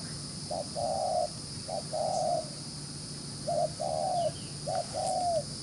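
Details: Fast, lively cooing from a wild-caught spotted dove: three paired phrases, each a brief note then a sustained mellow coo, separated by short pauses, over a steady low hum.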